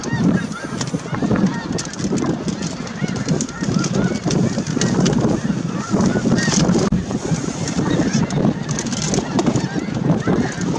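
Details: Snow geese at Merced National Wildlife Refuge on 22 January 2023, a large flock giving a dense, continuous chorus of low honking and gabbling calls with steady wind noise throughout.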